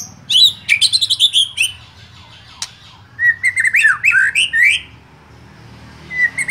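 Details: White-rumped shama song meant to make other shamas sing hard: bursts of rich, varied whistles and chattering notes separated by a quieter gap, over a faint low hum.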